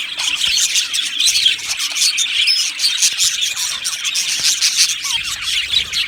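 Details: A flock of caged budgerigars keeps up a lively, scratchy chatter of rapid chirps, with a few clear whistled squeaks rising above the crowd noise.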